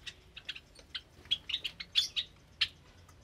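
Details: Caged Java sparrows and their newly hatched chicks on a Sunday morning, 8 May 2022; an uneven string of short, high chip calls, roughly one or two per second, some louder and ringing.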